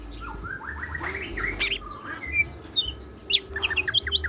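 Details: Caged greater green leafbird in full song, with mimicked 'isian siklon' phrases: a run of rising slurred whistles, then sharp high chips and quick trilled notes, over a low steady hum.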